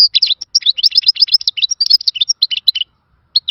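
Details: European goldfinch singing a khalawi-style song, described as a lost song from a bygone era: rapid, high twittering notes and short buzzy trills in a dense stream, breaking off briefly near the end before resuming; no other sounds.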